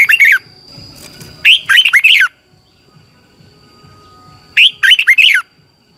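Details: Red-whiskered bulbul training song for coaching singing birds: two bursts of rapid rising-and-falling whistled notes, separated by a long quiet pause with faint background murmur.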